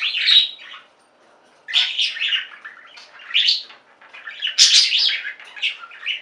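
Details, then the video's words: Pet budgerigar flock chirping and warbling, a bright burst at the start, a brief silence, then renewed bouts of squeaky rising chirps and chatter. "Most Beautiful Budgie songs Ever: Budgies singing and chirping"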